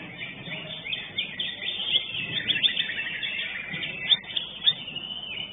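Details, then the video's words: Greater green leafbird, first-place winner at a songbird competition arena: dense, continuous stream of bright chirps and rapid twittering phrases, with sharper accented notes around two and four seconds, over a constant background hiss. "JUARA 1 CUCAK IJO"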